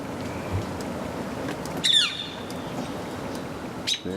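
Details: A woodpecker on a branch in a spring back yard, alongside migrating American robins, gives one loud, harsh, downward-sliding call, then a brief sharp high note, over steady outdoor background noise.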